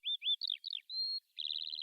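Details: A lark in Bayburt, Turkey, in cold autumn weather, gives rapid, high chirps: two upslurred whistles, twittering downslurred notes, a level whistle, then a quick rattling trill.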